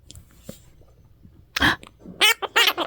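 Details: Pet parrot chattering inside a blanket cave made for it, where it becomes talkative: after quiet rustling, a few short harmonic, voice-like syllables follow in quick succession, with a person speaking softly nearby.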